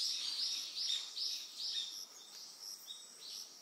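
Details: Eastern yellow wagtail on Amami Oshima, Japan: a run of short, high, slightly buzzy call notes, loudest in the first two seconds and then fainter and more spaced, over a steady high insect chorus.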